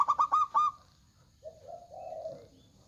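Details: Loud local zebra dove song, used to lure other doves to answer: four quick, bright notes in a staccato burst, then a pause and a soft, lower, rolling tone that fades out.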